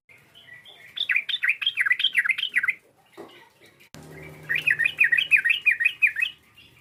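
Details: Sooty-headed bulbul calling to provoke a rival: two rapid runs of zigzagging, bubbly chirps separated by a short pause with a click and faint low hum.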